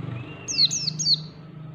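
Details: White-eye ngalas song fragment: three bright, high, falling chirps in quick succession over a steady low rumble, with a faint thin whistle before them.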